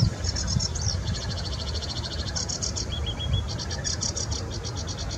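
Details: Sedge warbler singing in the Bitsa forest recreation area: fast, chattering high rattles and brief whistled trills strung together without pause, above a steady low rumble.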